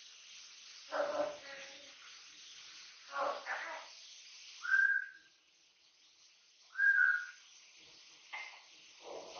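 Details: Three-year-old male Amazon parrot kept in a house, mixing rough talk-like mumbles with two pure whistled notes about two seconds apart, then more clipped chatter.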